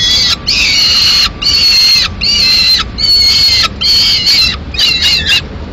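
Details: Peregrine falcon chick, the only one in its Madrid nest, begging for food on 22 May 2016 while the adults pass a swift. About seven grating, harmonically rich screams, each under a second, follow with short pauses over a low hum.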